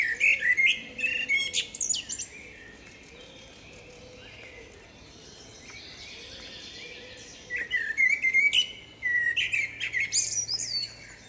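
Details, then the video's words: Two song phrases from a female common blackbird in forest, fluty whistles ending in scratchy high twitters, separated by a quiet gap, while a dove coos repeatedly in the background. "Samica kosa śpiewa. Kos śpiewa w lesie. sounds and singing of the blackbird"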